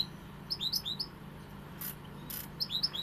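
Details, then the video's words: Bright, tinkling European goldfinch phrases of rapid high twittering notes, briefly interrupted by two short bursts of rustling noise, over a low background hum. "Jilguero pegada"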